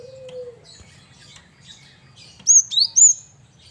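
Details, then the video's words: Lure song of a male Javan munia: after a quiet stretch with a low steady hum, three bright, high chirps ring out in quick succession near the end. "Burung Gelatik Batu jantan||Burung Gel wingko Gacor Variasi Buat Pancingan"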